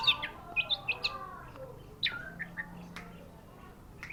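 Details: Orange-headed thrush singing a quick run of bright, chirpy high notes, several clipped in a fast burst, then scattered sharper twitters after a short pause.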